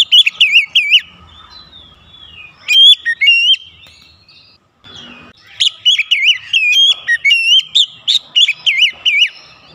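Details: Oriental magpie-robin (kacer) song to stimulate singing: rapid, wavering whistled phrases and sharp chips in two long bursts, with a quiet break between them.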